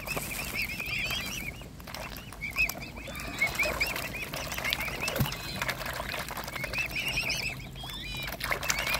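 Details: Mute swan cygnets being fed by hand: quivering, shrill peeps come in runs with brief pauses between them. Heavy splashing and pecking noises are mixed in, along with one loud knock.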